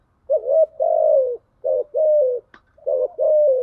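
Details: Spotted dove lure call in the 'thúc gù' and 'gáy gọi' styles. Three quick coo phrases, each a short note and a longer gliding one, with a sharp click between the second and third.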